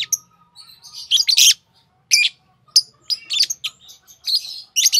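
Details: Green Fischer's lovebirds, known for long-duration songs; rapid sequence of shrill chirps and scratchy chatter, loud bursts interleaved with softer twitters, faint low hum behind.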